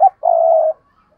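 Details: Spotted dove decoy coo, an urging call meant to make other doves coo: one short clipped note, then a long, steady, low hollow coo held for about half a second.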